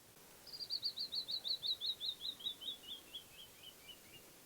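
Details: Canyon wren giving its morning song among canyon walls of the Navajo homeland: a falling cascade of around eighteen sweet whistled notes, quick at first, then slower and lower, ending softly; calm, still background.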